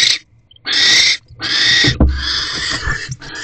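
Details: Barn owl at a nest box during a food delivery from the male to the female, January evening; a short hiss, then longer drawn-out rasping screeches up to a second long, with a soft thump midway.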